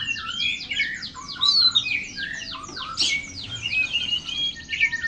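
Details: Oriental magpie-robin (kacer) singing vigorously in a loud, varied stream of whistled notes, sweeping slurs and sharp chirps, with phrases tumbling together almost without pause for five seconds.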